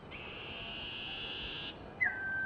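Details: A young common iora calling for food gives a long, steady, high whistle held for over a second, then a shorter note that drops and levels off lower.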